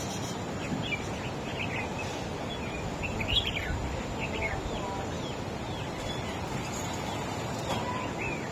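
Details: Wild-caught red-whiskered bulbul in a song duel against a rival bird: scattered sharp whistled and slurred notes, densest early on, amid steady background hiss and a faint knock.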